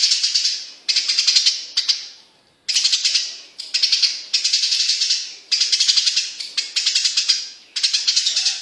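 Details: Tame Eurasian tree sparrow singing energetically: bursts of dense, scratchy chirps roughly half a second to a second long, repeated in quick succession with brief gaps, the bursts ending in fading echoes as in a small room.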